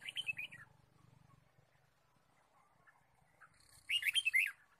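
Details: Red-whiskered bulbul chirping in the wild forest, 23 March 2017, during bird trapping: two separate quick phrases of bright, bouncing whistled notes, the first fading, the second louder, with a low hum between.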